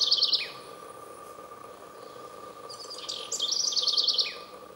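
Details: Eurasian wren song: two bursts of fast, high, bright trilled notes, a short one at the start and a longer one after a pause of nearly three seconds, over a steady low background hum.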